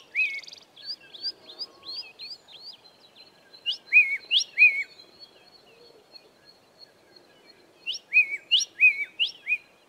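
Grey tit singing a series of quick, clear whistled notes, each rising then dropping, delivered in bursts with pauses; faint background hiss.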